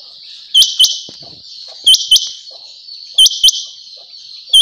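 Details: Chinga batair quail calling in quick doubled notes, two sharp high chirps close together, repeated about every 1.3 seconds above a continuous high-pitched hiss.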